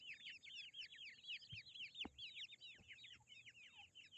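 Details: Several Grey francolin chicks cheeping nonstop: sharp, high, arched peeps tumbling over one another at roughly two per second per bird, with one brief knock midway.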